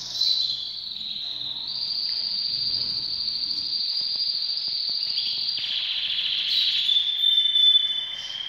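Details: Canaries in breeding readiness; long sustained rolling trill held at a steady high pitch for several seconds, shifting slightly lower near the end, with a faint low rumble beneath.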